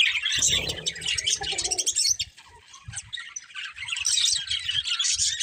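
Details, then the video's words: Pet budgies of a breeding pair giving dense, squeaky chirping chatter, with a brief low humming sound early on and a short quieter lull midway before the twittering resumes. "Colourful Budgies Chirping Sounds"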